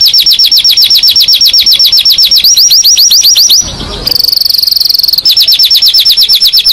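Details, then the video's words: Agitated canary singing a loud, rapid, high trill of sharp repeated chirps, about four per second, that breaks briefly into a buzzy, harsher phrase before the fast chirping resumes. "صوت عصافير الكنار الهائج"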